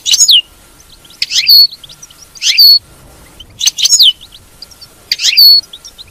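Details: Goldfinch batbata twitter meant to set a captive goldfinch singing: short bursts of bright, tinkling notes about every 1.2 seconds, each ending in a clear downward-sliding whistle, with quiet between.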